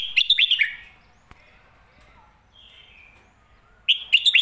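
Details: Red-whiskered bulbul delivering the popular Phat Kuay Tiao master-song phrasing. Two quick, loud, rolling whistled bursts of three or four notes open and close the clip, separated by faint background chirping.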